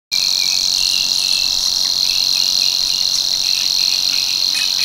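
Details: Savi's warbler singing at Tancat de l'Illa in l'Albufera, a breeding visitor back from tropical Africa from March: a strident, monotonous high buzzing reel held steady and unbroken, with faint higher chips from other birds above it.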